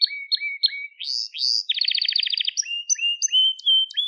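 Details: Gloster canary, crested, repeating short upslurred whistles, then rising buzzy notes and a fast rolling trill, before returning to clear whistled phrases. Song recorded for training young canaries.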